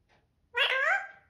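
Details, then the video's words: A talking parrot utters one harsh, voiced, word-like sound lasting under a second. It is rich in harmonics, with a sliding, speech-like contour, against near silence. "Parrot speaking"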